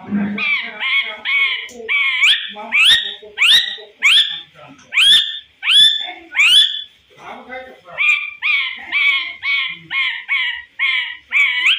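A parrot imitates a dog's bark and a cat's meow with a run of about eighteen harsh, nasal yelps, roughly one every half second. Some yelps sweep upward, others stay flat.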